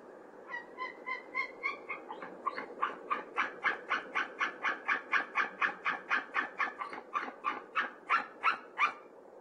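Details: White-tailed eagle pair at their nest in Norway, recorded in February by a nest camera, calling together as the male brings hay: a long accelerating series of sharp yelping notes, about four per second, gradually growing louder.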